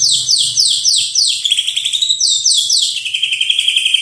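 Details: Rapid series of high, downslurred whistled sweeps, several per second, shifting into a lower buzzy trill: white-rumped shama song used as a master recording for training birds.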